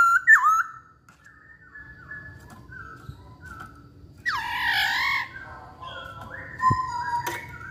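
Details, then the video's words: Chinese hwamei singing: a sharp whistled opening, faint scattered notes, then a loud harsh rich burst followed by softer whistles and a clipped high note, with quiet low background noise. "Burung Poksay Hongkong Gacor"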